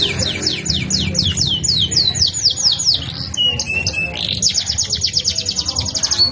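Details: Rolling canary song with steady series of high downward-slurred notes, a short varied passage of whistles, then a very fast even trill to the end.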